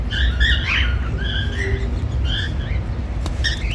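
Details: Male and female normal grey cockatiels making happy sounds: a run of short, harmonic chirps and rising whistled notes, some overlapping, spread across the clip over a steady low rumble.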